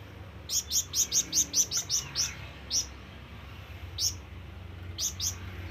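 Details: Flamboyan bird giving a long call meant to summon companions or rivals: a rapid run of about nine piercing high chirps, evenly spaced, then isolated single chirps and a final pair after pauses, over low steady hum.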